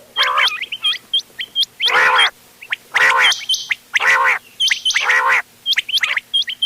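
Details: Ghonge wal, doghla and changa quails mixed for hunting, recorded 31 October 2025: loud rasping bursts about once a second, interleaved with rising hooked whistled notes and brief trills.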